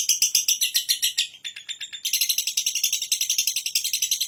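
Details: Long ngekek from a lovebird: shrill pulsed chatter that dips briefly in volume, then continues as an even, rapid series of sharp notes.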